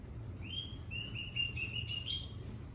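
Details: Shrill red lory from Ambon: a series of short, high, squeaky whistled notes, some bending upward, rising toward a sharper final squeal, over a low background rumble.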